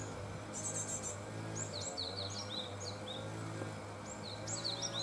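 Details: Post-fledging Japanese tits by a nest box: thin high chirps come in loose groups, some hooked and falling, over a constant deep electrical-like hum.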